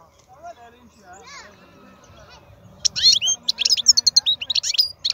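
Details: Powerful wild European goldfinch song. Quiet low warbling and faint background murmur come first, then a loud run of sharp high twitters, rising whistles and rapid chattering notes.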